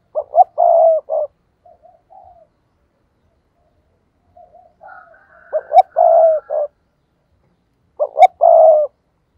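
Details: Spotted dove kept as a lure bird to attract rivals, cooing in three clear phrases, each two brief notes then a drawn-out coo, with quieter short notes in the gaps.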